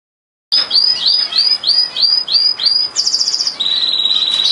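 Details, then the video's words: Canary singing: a series of repeated arched, whistled syllables around four to five per second, then a fast high rattling trill and a steady lower rolling trill, loud and clear against a quiet background. "canary singing"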